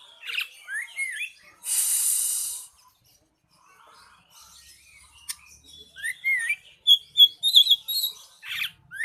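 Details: Oriental magpie-robin singing nyeting style: scattered chirps and slurred whistles, a loud hissing burst near two seconds, then a quieter gap before a quick run of sharp rising whistled phrases.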